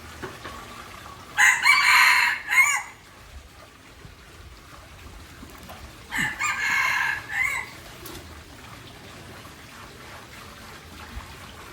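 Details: Aceh junglefowl giving two separate crows several seconds apart, each a rough, broken run of loud harmonic syllables lasting about a second and a half, with quiet rustling between.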